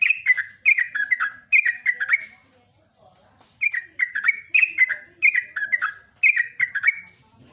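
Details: Morning 'ropelan' song of a Sunda pied fantail, lively runs of clear, falling whistles grouped in quick phrases, a brief pause near the middle, then renewed rapid phrases against quiet surroundings.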